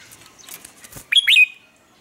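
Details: Red-whiskered bulbul morning lure song for bird training: soft rustling, then a quick two-part bright whistled phrase that swoops up and ends in a short trailing note.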